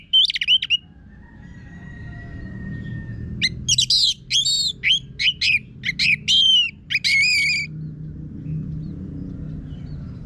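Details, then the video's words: Orange-headed thrush (anis merah), a caged bird from northern Bali with a coarse song used to make other birds sing; a short opening phrase, then a long string of rapid, rich, repeated warbling notes lasting several seconds. "Pancingan ANIS MERAH Gacor Suara Kasar Ini Membuat Burung Ikutan Ngeplong"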